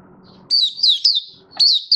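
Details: Brief high, sliding whistled phrases from a Malaysian Oriental white-eye, a hobby bird out of form, singing its opening song; one clear slurred note falls, then another phrase begins over faint room noise.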